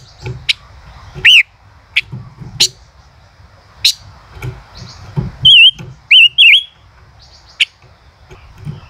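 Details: ["Male common rosefinch singing in the 'chế cựa' style: loud, wavy whistled phrases rising and falling, given in short bursts around sharp clicking ticks and quieter chips."]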